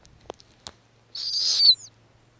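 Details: Female snowy owl on her Arctic nest during hatching, feeding small nestlings and calling as she offers food. A few faint clicks come first, then one drawn-out, high, squealing whistle that lifts slightly at its end.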